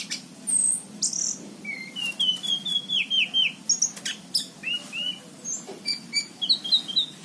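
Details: Lively orange-headed thrush song from 2019: a series of clear whistled notes and descending slurs, varied phrases following one another quickly, some very high thin notes, low background hum throughout.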